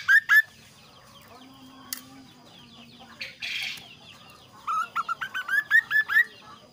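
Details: Kaso kaso bird singing a varied, clear, lively song: a quick pair of bright whistled notes at the start, then after a pause a rapid run of short rising and falling whistled phrases; faint chirps from other birds in the background.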